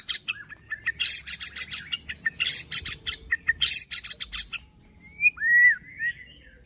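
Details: White-rumped shama (murai batu) giving a 'pastol fighter' song meant to provoke other shamas: dense buzzy chattering bursts with high harsh notes for several seconds, ending in a clean looping whistle.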